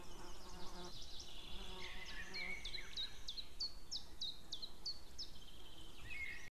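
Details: Outdoor white-tailed eagle pair on 2 May 2016 around midday, female and a distant male both calling: a regular series of about ten sharp, high, down-slurred yelps, roughly two per second, over low humming background noise.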